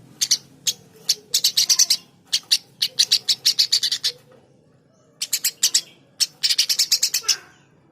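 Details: Eurasian tree sparrow chattering in quick clusters of high, sharp chirps, several bursts separated by short pauses and one longer silence midway.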